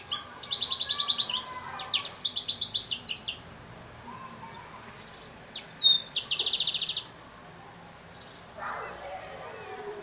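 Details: From Souk Ahras, an F1 cross of African singer and Mozambique serin sings two long phrases of fast, high trilled notes mixed with downward sweeps, then a shorter trill after a pause, over soft background noise.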